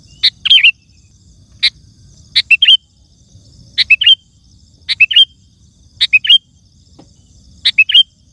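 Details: Song of a sooty-headed bulbul, meant for luring wild birds and tutoring caged ones: a sharp opening note then a tumbling cluster of liquid whistles, repeated roughly every 1.2 seconds, with faint low background rumble.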